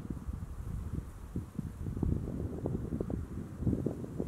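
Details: Low rumbling wind buffets the microphone in uneven gusts with soft rustling, and no animal calls are heard.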